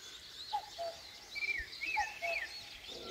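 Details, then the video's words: [8, "At dawn in rural Korea, a common cuckoo's low two-note falling call sounds twice, interleaved with high, curving whistles from another bird."] "시골의 새벽녘 뻐꾸기와 새소리"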